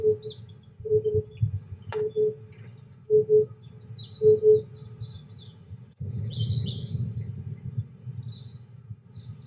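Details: Oriental Cuckoo singing in the background on a cloudy 23°C day where Eurasian white admiral butterflies are flying. Low, hollow paired hoots repeat roughly once a second for six seconds, over high thin chirps from other birds and a steady low rumble.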